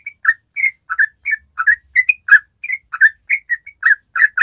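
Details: Long rolling ropel song of a yellow-vented bulbul, a bird in strong singing form. Loud, rich bubbling notes alternate between higher and lower slurred chirps, about three each second.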